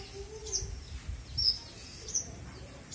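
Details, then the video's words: Kept Australasian bushlark singing its "full isian" style song, packed with varied fills: short, sharp, high chirps and whistles spaced roughly every half second, over a soft low background rumble. "kicau burung branjangan ||Branjangan full isian"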